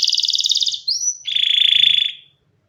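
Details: Canary singing a brief phrase: a fast buzzy pulsed trill, a short rising whistle, then a lower rolling trill fading out.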